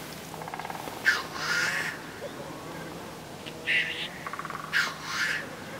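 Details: A pair of wild black geese, possibly black grouse, fight in a forest in the spring snow at Sotkamo, Finland, giving harsh, rasping honks in about four bursts over six seconds, with quieter grating notes between.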